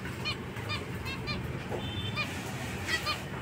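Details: Zebra finch giving short nasal honking calls, about seven spaced notes over three seconds, fairly faint against a low background hum.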